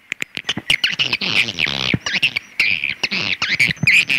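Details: Swiftlet call in dense overlapping chatter: buzzy trills and clicks run together in a continuous, busy twitter with bright high squeaks near the end.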